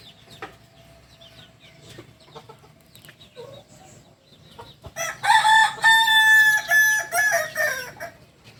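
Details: Kukuak Balenggek rooster of Solok, West Sumatra: distant faint calls and clicks, then a loud crow with a long opening note and a series of repeated stepped, pulsing syllables lasting about three seconds.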